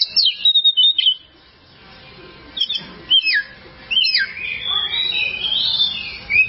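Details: Kacer, the oriental magpie-robin, in a long training recording for cage birds: clear whistled notes and steep down-slurred phrases, a brief quiet gap, then a richer warbling run of high notes.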